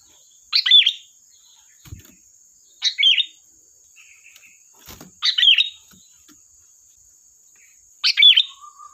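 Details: Energetic sooty-headed bulbul song for luring and training bulbuls. Four short, bright, bubbling phrases arrive roughly every two and a half seconds. Faint clicks sound between them, and a constant high whine runs underneath.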